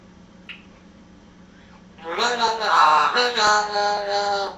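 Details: African grey parrot, a talking, whistling mimic with a Geordie accent, breaks a quiet start with rich, voice-like mimicry, wavering and speech-like in pitch for about two and a half seconds; a faint click comes early on.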